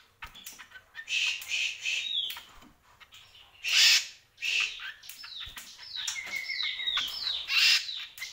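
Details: Greater green leafbird in full song, alternating loud harsh rasping bursts with quick downslurred whistles and scattered chips, the phrases tumbling on without pause.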